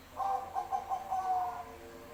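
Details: Singing zebra dove of the Bangkok type: a short burst of purring, rhythmic coos, four or five quick notes ending in a longer drawn note, against a low steady hum.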